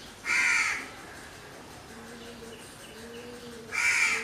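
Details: Crow giving two harsh, hoarse caws about three seconds apart, with faint lower tonal sounds from other birds in between.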